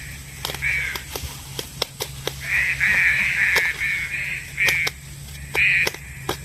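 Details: Green pigeon calling, as used to lure birds into traps: one short rasping note, then a longer chain of joined harsh notes, with scattered sharp clicks and a steady background hum.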